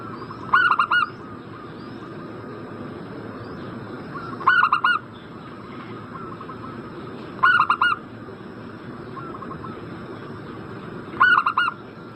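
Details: Zebra dove calling to draw an answer from a breeding-condition bird: four loud phrases of quick, rolling coos, roughly every three to four seconds, against soft distant cooing.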